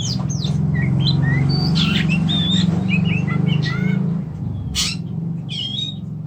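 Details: Kacer, or Oriental magpie-robin, giving quick rising and falling whistled notes and short chirps, partly masked by a loud low droning hum, then a few sharp high notes near the end.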